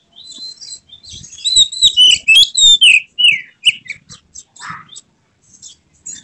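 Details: Oriental magpie-robin singing in an emotional display with its tail spread, pouring out a full repertoire: loud, rapid whistled and trilled phrases, sliding and chattering notes packed densely, then softer scattered chips.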